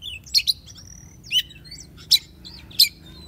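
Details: Oriental magpie-robin, used for taming and luring: sharp, scratchy clicked notes spaced about a second apart, linked by thin high whistles, over a low background hum.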